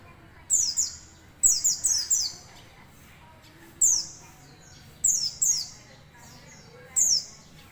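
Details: Song of a white-eye: short clusters of high, sweet, quickly falling twitters, often two or three in a row, separated by pauses of a second or more against a quiet background.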